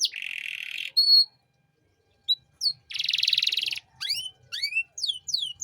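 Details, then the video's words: Canary master song for training young birds, 'cengkok mewah' style: a buzzy rolling trill, a silent gap, scattered chips, another low buzzy trill, then quick rising and falling slurred whistles. "Masteran Kenari Gacor Cengkok Mewah untuk Burung Bahan"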